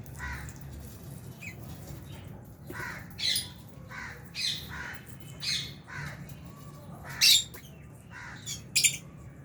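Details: Aviary lovebirds, albino and Fisher's, eating alongside budgies; harsh squawky chirps spaced every second or two, a couple of louder piercing notes near the end, low hum beneath.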